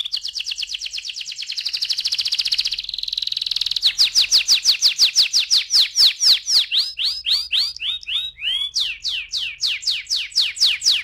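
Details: Canary delivering its ngeroll rolling song as a pancingan lure: a continuous fast trill of repeated buzzy syllables that shifts into a slower run of downward-swept slurred notes, about two per second, toward the end.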